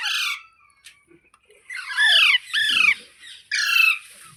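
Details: Green parrot giving loud, harsh squawks with strong downward-curving harmonics, a short burst at the start and then three ringing calls in a row, with brief quiet gaps between them in a small indoor space.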